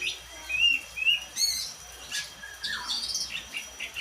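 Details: Oriental magpie-robin, black-and-white form: a few clear rising whistles, then a softer chattering sequence, with steady hiss and a thin electronic tone behind.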